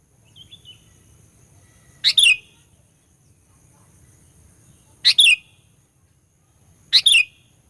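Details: Sooty-headed bulbul lure sound to provoke rivals: three loud double notes, a rasp then a falling whistle, spaced two to three seconds apart, with a soft faint note near the start.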